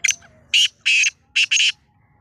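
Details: Black francolin in Sindh, Pakistan, calling loudly with a rasping, buzzy phrase of four to five harsh notes, a short opening note followed by grouped doubled bursts, over a quiet background.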